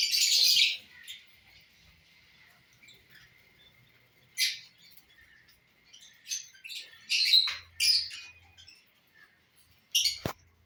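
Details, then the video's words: Lovebirds eating corn (bhutta): a loud harsh squawk opens, then mostly quiet with scattered short, sharp, high chirps and clicks, a faint steady high whine, and a sharp knock near the end. "love birds enjoying bhutta"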